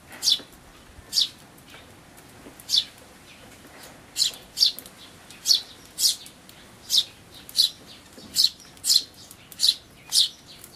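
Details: Eurasian tree sparrow chick begging while being fed at a feeder by a parent that may be very old, given its large black throat patch, May 2013; shrill high chirps in an uneven series, about fourteen in all.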